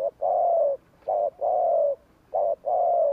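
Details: Provoking 'gù kích' coo of a spotted dove used to stir wild doves: clear, steady phrases pairing a brief note with a longer drawn-out coo, three times in quick succession.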